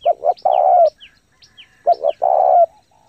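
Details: Spotted dove in fast, forceful cooing used to excite and train new birds: two phrases, each a short stuttered pair of low hoots leading into a sustained coo, with faint thin descending chirps above.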